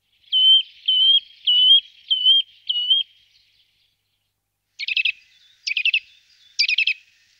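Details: Eurasian nuthatch: five clear, wavering whistled notes at steady intervals, then after a pause three harsher, buzzy chattering notes.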